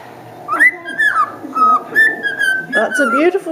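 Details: Bazil, a pet talking cockatiel, whistles a tune of clear, sliding notes, rising and falling, instead of talking while the owner urges him to say hello; a person's voice is faintly heard at the end.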